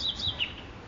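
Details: Nightingale in a park giving a brief burst of high, clear whistled notes, slurring slightly downward, over a faint low background hum.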